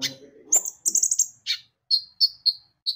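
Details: Javan white-eye lure song to make birds sing: a brief rapid chatter, then four or five separate high chirps spaced evenly apart.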